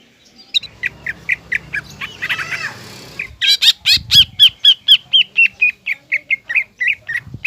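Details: Green leafbird singing vigorously to provoke a young spotted leafbird: about four notes a second, repeated ringing whistles gradually dropping in pitch after a brief rough, harsh burst.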